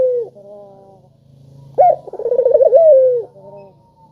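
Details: Melodious, sharp spotted dove call meant to prompt reluctant doves to sing: a falling tail note opens, then one full coo with a sharp rising note, a quick wavering trill and a long sustained drawn-out ending over a faint low hum.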